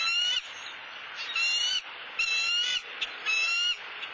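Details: Bald eagle at a Southwest Florida nest, where the male brought a soft-shelled turtle for his mate, giving four thin, squealing calls, each about half a second long and roughly one per second, steady and high-pitched over faint hiss.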